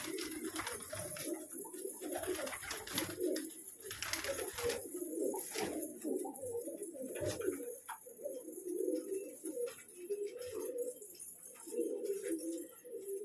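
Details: Many colourful pigeons kept as pets fill the space with steady, low bubbling coos. The coos swell and fade in clusters every second or two, mixed with sharp taps and wing rustles.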